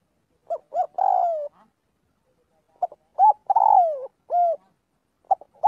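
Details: Spotted dove training its voice daily, calling to the flock. Two clipped notes, then a long descending coo. After a silent gap the phrase repeats with an extra arched coo, then starts a third time.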